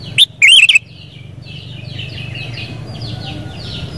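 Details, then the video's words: Sooty-headed bulbul delivering a quick, bubbly warbled phrase after one sharp note, followed by a run of faint descending chirps from other birds over low background noise. "Suara Burung KUTILANG"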